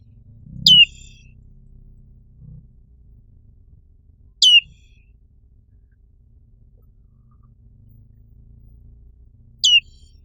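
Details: Black-capped white-eye, an Indonesian white-eye with a black forehead: three brief sharp downward-sweeping high chirps spaced about four seconds apart, otherwise quiet with faint low background.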